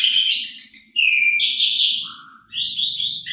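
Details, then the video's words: Asian pied starling in full, rich song, a lure recording of a vigorously singing bird. Buzzy high phrases and sliding whistles come in dense bursts, with a low steady hum underneath. "Pancingan Jalak Suren Gacor Isian Mewah"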